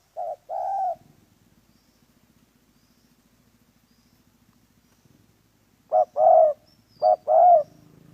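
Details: Spotted dove used in dove trapping, giving two short cooing phrases, each a brief low note followed by a longer rounded coo, one at the start and one near the end, separated by a quiet stretch with a faint engine-like hum.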